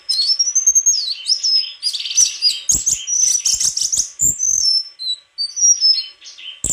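White-throated flycatcher singing a rapid, high-pitched twittering song of varied whistled phrases and sharp chips, with a few faint clicks.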